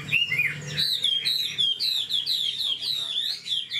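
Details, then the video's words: Caged Chinese hwamei, old and wild-caught, delivers a quick series of clear, downslurred whistles, strongly repeated, with a low hum underneath. "Họa mi già rừng chất giọng cực hay. tốc độ mỏ nhanh"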